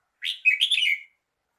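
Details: Red-whiskered bulbul singing: one short, bright warbled phrase of rapid slurred whistles lasting under a second, clean with no other sounds.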